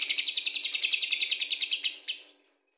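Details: Lovebird in rapid ngekek chatter, a quick even series of buzzy high chirps about eight per second, ending with two louder separate notes.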